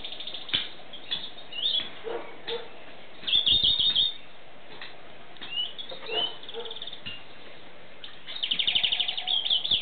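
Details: European greenfinch singing in short separated phrases: quick chirps and brief rattling trills, with a rapid run of repeated twittering notes closing the passage over a low background hum.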